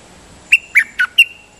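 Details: Decoy song (siang to) from a dok taeng bird: four bright whistled notes in under a second, the second and third slightly lower and fuller, the last ending in a thin level tail. The setting is quiet.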